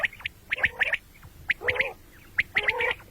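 Common quail giving sharp, liquid three-note phrases about once a second, with a soft gargling undertone between the bright notes.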